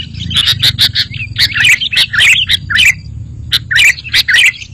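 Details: Sooty-headed bulbul song played as a lure and prompt for lazy caged birds to reply: lively bubbly warbled phrases mixed with sharp repeated chips, bursts roughly every half second, with faint low hum beneath.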